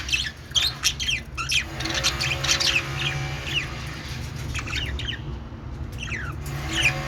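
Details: Parakeets chirping with quick, scratchy warbled notes and squawks in irregular clusters, over a steady low hum.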